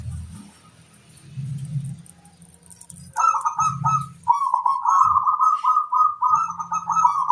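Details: Local zebra dove song used as a lure to draw in wild birds: after faint low rumbling, a run of rolling, rhythmic cooing notes sets in and repeats steadily for about four seconds.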